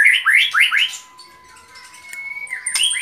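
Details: White-rumped shama giving four quick rising whistled notes, then a thin sustained tone and a brief high flourish; a faint steady hum runs underneath.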